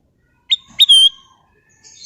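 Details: Short whistled phrase from a golden bulbul: a brief rising chip, then a drawn-out pure whistle sliding gently downward, sharp and loud against silence.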